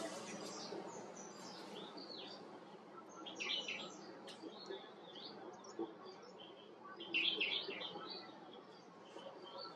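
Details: White-cheeked bulbul calling in two short bursts of quick, warbling chirps several seconds apart, with a steady noisy hiss underneath.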